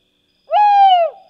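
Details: Tawny Owl (Strix aluco) gives a single clear, hollow hooting note of about half a second, steady in pitch then sliding slightly down at the end, in silence.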